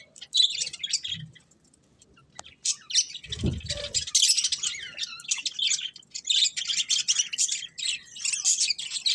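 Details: Budgerigars chirping: a dense, lively chatter of high twittering and warbled notes that runs almost without a break, with a short low thump near the middle and quick bursts of squeaky trills throughout.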